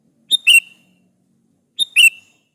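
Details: Sooty-headed bulbul calling to provoke replies from other bulbuls. It gives a pair of short phrases, each a tick followed by a rich, buzzy, falling whistle, about one and a half seconds apart.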